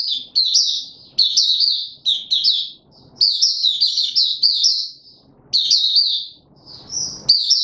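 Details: Sharp, high twittering phrases from a caged white-eye pushed on form, tumbling in quick sequences with short breaks and faint background rustling.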